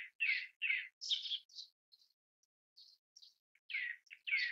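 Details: Grey-backed thrush (Turdus hortulorum) call: harsh, scratchy high notes in short bursts, with a few thin softer chips between them, against a quiet background.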